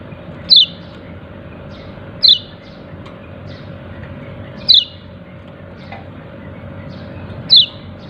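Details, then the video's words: Yellow-breasted white-eye calling "ciak ciak": five high, crisp descending chirps at irregular gaps of one to two seconds, with fainter chirps between and a steady low hum. "Pleci dada kuning memanggil ciak ciak"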